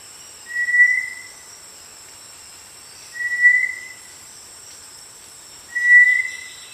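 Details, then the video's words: Brownish-gray tinamou of tropical lowland rainforest understory near streams and thick undergrowth. Three short, level whistles, each swelling slightly and fading, repeated every two and a half seconds over a faint hiss of forest background. "Listen for a short flat whistle repeated about once every 4 seconds."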